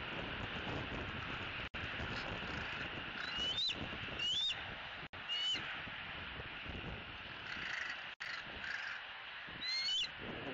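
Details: Young bald eagle at its Southwest Florida nest on the evening of 3 May 2018, the day before leaving, picked up by a nest camera: four short, thin, rising whistled notes spaced irregularly over steady hiss and faint clicks.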